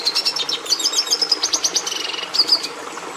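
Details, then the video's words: Red siskin, the bird breeders used to add red pigmentation to domestic canaries, sings rhythmic high chirps followed by a buzzy trill and a pair of clear whistled notes. "Canto do Tarim da Venezuela"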